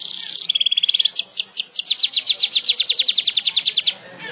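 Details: Weaver singing actively, recorded as tutor material for songbirds: opens with a harsh sizzling buzz, then a long, steady run of sharp chirped notes at roughly seven per second lasting about three seconds.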